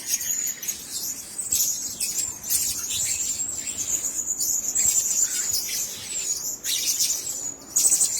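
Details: Blue-crowned hanging parrots held together in one cage produce sharp, squeaky high-pitched chirps, densely overlapping and almost unbroken throughout.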